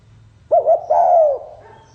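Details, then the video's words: A single spotted dove phrase in the 'pha kim' song style: two quick hollow coos, a brief pause, then one long cooing note that falls gently in pitch, with faint low hum beneath. "Tiếng chim cu gáy giọng pha kim"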